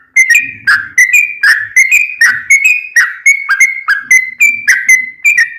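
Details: Lively sooty-headed bulbul song meant to coax silent caged birds into answering, with a steady series of bright, slurred whistled notes that dip and rise, delivered in a continuous rhythmic stream.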